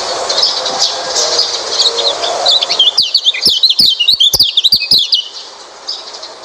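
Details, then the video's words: Oriental white-eye song played to encourage a quiet white-eye to sing. Over background hiss, a quick, high-pitched twittering phrase with sharp ticks rises midway, then fades to quieter noise. "Coba masteran burung pleci ini | pancingan burung pleci malas bunyi"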